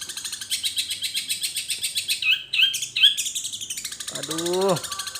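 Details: Long-tailed shrike delivering imitations of other birds: steady rapid scratchy chatter with three bright whistled notes, then a low nasal rising-and-falling call near the end.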